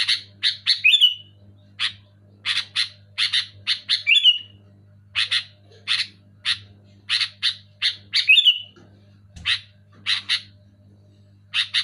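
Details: Sooty-headed bulbul, loud and clear, to get reluctant caged bulbuls singing: long series of harsh chirps in pairs and triplets, broken three times by a sliding whistle, over a quiet electrical hum.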